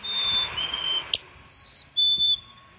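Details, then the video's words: Black-capped chickadee giving pure whistled notes, a higher tone sliding to a lower one, repeated twice after a sharp click, over a steady faint hum. "black cap chickadee bird"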